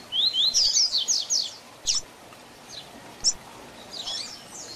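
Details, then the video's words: Double-collared seedeater delivering the Tui Tui Zel Zel teaching song for young birds: an energetic opening string of high zigzag notes, then sparse single chips and a final short flourish. "Tui Tui Zel Zel Diferenciado Encarte seu Coleiro ou Papa capim - Coleiro Professor Aprendizado"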